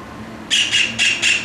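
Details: Juvenile white-throated kingfisher (Halcyon smyrnensis) recorded close up: four loud, harsh, rasping notes in quick succession within about one second, over faint low background hum.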